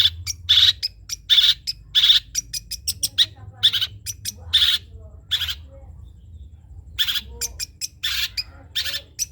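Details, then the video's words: Trotol-type long-tailed shrike singing a tutor song for other birds: loud scratchy bursts alternating with quick clicky chips in uneven runs, with brief quiet gaps and faint low background hum. "CENDET COCOK DIBUAT MASTERAN BURUNG CENDET TROTOL"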